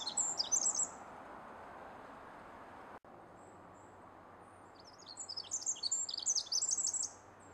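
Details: Pacific wren in Pacific Northwest woods near a road: a short burst of high trilled notes, a pause of about four seconds, then another sparkling, rapid phrase of thin, high notes and trills, over a low steady hum.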